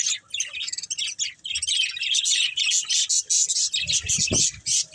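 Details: Pet budgerigars playing and eating chatter in rapid high warbles and chirps, joined near the end by a short lower squawk and some soft thuds.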